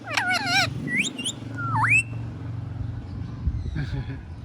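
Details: A pet parrot, just woken up, gives wavering warbled whistles and sliding whistled notes that dip then rise, followed by quieter muffled sounds over a steady low room hum.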